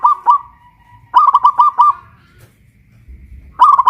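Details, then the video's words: Zebra dove, local Pajajaran bird from West Java (Kuningan), caged and hoisted aloft while singing; short clusters of fast, rolling coos trailing into a held tone, with quiet gaps between phrases. "Perkutut lokal pajajaran jawa barat gacor rajin bunyi"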